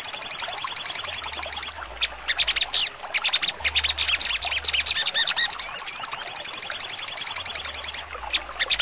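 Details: Crimson Sunbird, locally sogon, giving full trotol song with sharp shots: two long rapid high trills of evenly spaced notes framing a stretch of quick piercing chips and brief wavering whistles.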